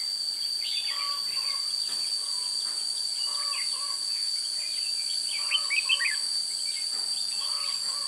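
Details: Trapping session for red-whiskered bulbul using a decoy, 16 June 2017: scattered chirpy whistled phrases from more than one bird, some flat low whistles, persistent high-pitched insect hum throughout.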